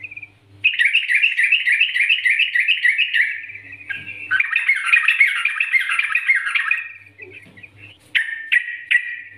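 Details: Yellow-vented bulbul master song, played to prompt a bulbul into lively singing: fast chattering, bubbly warbled phrases, a quick rolling run of notes, then several sharp separate chirps near the end, over a faint low hum.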